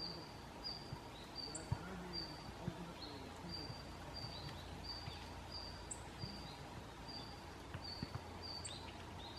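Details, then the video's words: Red-flanked bluetail (Tarsiger cyanurus) giving its call notes (not song), recorded 30 November 2014 with several birds visiting: short, high, even notes about twice a second, a few sharper higher notes, over a steady low rumble. "ルリビタキ"Tarsiger cyanurus" の鳴き声"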